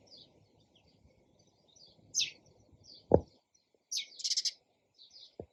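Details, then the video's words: Sparrow chirps: brisk high notes with a quick run of rapid chirps, broken by two sharp low knocks. "SOUND OF SPARROW RELAXING CHIRPING SOUND."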